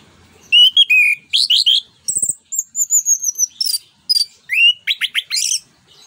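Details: Orange-headed thrush (anis kembang) singing in the open, forceful 'ngeplong nembak' style used to stimulate other birds. Rapid varied phrases of high whistles, slurred notes and buzzy trills, with short gaps between bursts and a brief low rattle.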